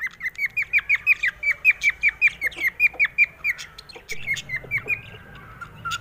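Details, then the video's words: Happy pet cockatiel whistling rapid, evenly spaced, clear slurred notes for about four seconds, then a softer, looser run of whistles with light background noise. "Cocktail Whistle"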